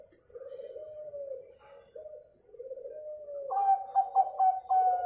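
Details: Local zebra dove song used to prompt other birds to sing: soft low purring coos, then a brighter sequence of clipped repeated coo notes at the end.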